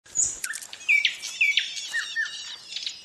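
Ouzel nestlings beg in a rapid jumble of thin, high squeaks and short rising chirps, several voices overlapping about twice a second.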